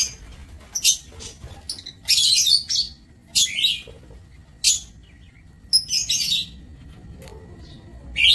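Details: Lovebirds in an aviary on 27 March 2024 giving shrill, clipped squeaks and harsh chatter in separate bursts about every second, with short pauses and a faint steady hum behind.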